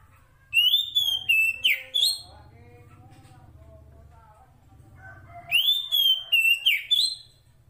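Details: A female Oriental magpie-robin (kacer poci) calls for the male: two loud phrases of sweet, slurred whistles with grating notes, separated by a low, steady droning hum and faint warbling.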